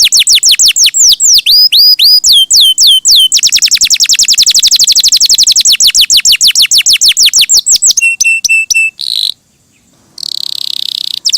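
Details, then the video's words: Canary singing vigorously: varied descending whistled sweeps and upslurs, a long rapid rattling trill, clipped high notes, then buzzy bursts separated by a short silence. "Suara Burung Kenari!!! GACOR MERDU"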